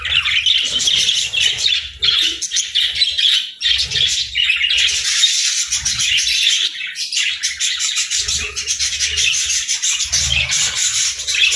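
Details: A flock of budgerigars at morning feeding time warbles and chirps continuously in a scratchy, twittering chorus, with occasional soft low thumps.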